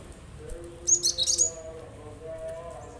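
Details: Cinereous tit recording used to prompt reluctant birds to sing along; a quick burst of high, sharp whistled chirps mid-clip over a faint low hum.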